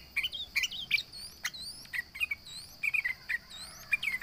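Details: Sooty-headed bulbul (trucukan) in full voice, taunting rivals: short bubbly chirped notes in quick uneven bursts, joined by thin rising whistled sweeps higher up, over a steady high insect-like hum.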